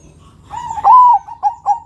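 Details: Bangkok perkutut zebra dove cooing to lure other doves: a soft lead-in, a strong rising then level coo, followed by two short clipped notes.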